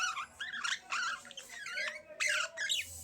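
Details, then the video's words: Continuous budgerigar warbling, with quick bending whistles and scratchy chirps rising and falling in a lively, unbroken stream with only brief pauses. "Budgies Chirping"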